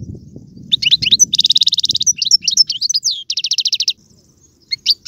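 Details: Algerian-style European goldfinch song with tiwawati, galoubi and serfati passages: twittered notes lead into two fast, even ticking trills separated by sharp chirps. Soft low rustling is heard at the start.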